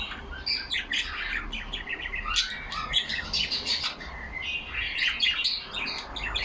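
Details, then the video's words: Caged pet budgerigars chattering among themselves: a dense, continuous warble of overlapping chirps, clicks and short squawks, busy and unbroken throughout. "Lovely parrots talking among them."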